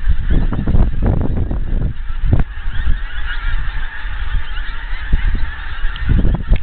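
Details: Scotland, a huge flock of wild geese coming closer from afar: bursts of overlapping honking at the start and end, a thinner stretch of scattered calls between, all over a deep rumbling background.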